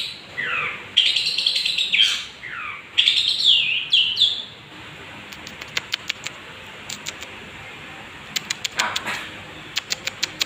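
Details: Young long-haired long-tailed shrike singing vigorously, used as a lure to provoke other birds: a few seconds of bright chattering, rising and falling phrases, then a run of sharp dry clicks and ticks.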